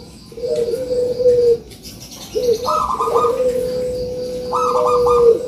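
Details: Dove cooing used to prompt lazy doves to call: several long, steady, hollow coo notes with short rolling starts, rather soft against background hiss.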